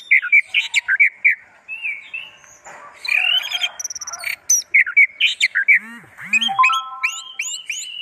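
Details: Owned orange-headed thrush (anis merah) in continuous varied song: rapid chains of bright whistles and chirps, buzzy and harsh bursts, then repeated downslurred high notes; a few faint low swooping sounds underneath.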